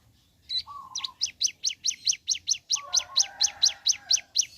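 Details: Ciblek gunung singing in the morning: a fast train of sharp, high, downward-slurred chips, about two per second, with short lower warbled phrases underneath.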